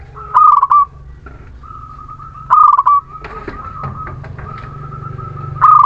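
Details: Local Muria zebra dove singing a lure for reluctant birds. Three loud stuttering phrases, each ending in a held coo, about every two and a half seconds. Steady softer cooing from other doves runs beneath, with some low rumble.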